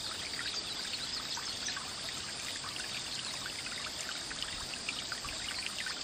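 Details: Constant pouring and trickling water, bright and hissy, with scattered droplet ticks throughout and no other sounds standing out.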